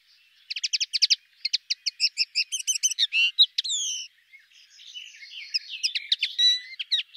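A common linnet sings a quick, varied twittering song of rapid chirps, buzzy trills and short whistled notes, with a softer, scratchier run of twitters toward the end.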